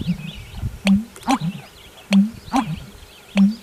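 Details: Male American Bittern's spring mating call at a wetland marsh in late April, the strange pump-er-lunk: deep, gulping, hollow booms repeated several times with sharp snapping clicks between them; faint higher bird calls behind.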